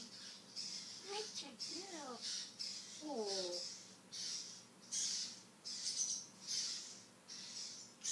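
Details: Pet African grey parrot indoors showing its vocabulary. It mimics words in a few short voice-like phrases with gliding, harmonic syllables. Soft, rhythmic high-pitched hissing bursts repeat throughout.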